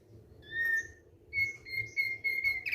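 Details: Thick-billed white-eye song, relaxed singing: a short pure whistle, then a series of level clear whistled notes repeated at a steady pace, with a low hum in the background.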